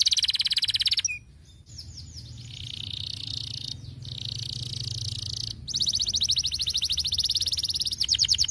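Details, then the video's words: Canary song to prompt lazy canaries to sing: a dense high rolling trill, a brief drop in volume, a long lower buzzy roll, then a fast clear trill of evenly repeated notes. "muito eficaz para estimular o som de canários preguiçosos"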